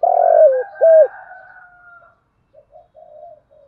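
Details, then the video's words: Spotted dove used as a lure for wild doves: a loud buzzy coo falling at its end and a short clipped coo, followed by a faint drawn-out tone and soft low murmurs. "chim cu gáy mồi gáy gọi bổi rất nhanh về cội"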